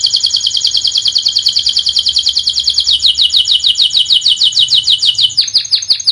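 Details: Canary song from a master training recording aimed at birds that are not singing: one long, rapid, bright trill of high notes held for several seconds that loosens slightly near the end.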